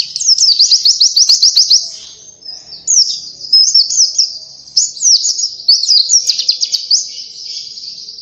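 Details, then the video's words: Energetic pleci (Oriental white-eye) song used as a lure: loud bursts of rapid, high, sharply slurred chirps in phrases of one to two seconds separated by short quieter gaps. "Burung Pleci cuitannya gacorr cocok untuk pancingan!!"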